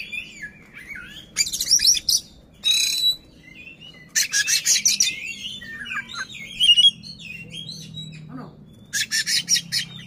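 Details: Oriental magpie-robin (kacer) spreading its tail and singing to rile a rival, with soft sliding whistles broken by loud harsh rasping bursts and quick repeated chattering notes.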